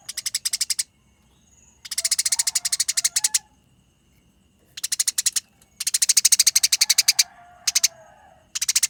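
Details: Eurasian tree sparrow during a fight, described as a long, dense, rolling chatter with a clear voice: several bursts of rapid, harsh, high chirps, some over a second long, broken by short silences.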